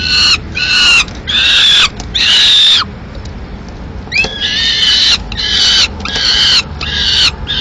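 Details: At a Madrid peregrine falcon nest, 15 May 2016, the male arrives with a live swift and the female finishes it off. Grating, nasal screams come in loud repeated bursts, with a brief quieter gap before the calling resumes.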